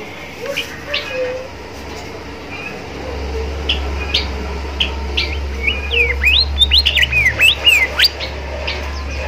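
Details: Bimoli bird in lively song, used to teach young birds learning to sing: after quiet spells, a fast run of sharp, sweeping whistled notes, rising and falling, repeated several times a second near the end, over a steady low hum with faint voices.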